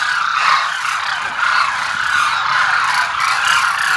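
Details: Flock of Demoiselle cranes gathered at Kheechan in Jodhpur, Rajasthan, making an unbroken wall of overlapping, throaty trumpeting calls. No single bird stands out, and the din holds steady throughout.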